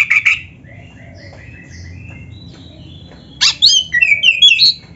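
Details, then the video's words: Black-breasted magpie-robin singing vigorously, its song laced with canary-like phrases and used as a tutor and lure recording: a quick burst of high notes, then a long pause and a second tumbling run of bright, sliding whistles. "MASTERAN KACER GACOR FULL ISIAN MEWAH KENARI⁉️ || BURUNG KACER DADA HITAM COCOK buat PANCINGAN‼️"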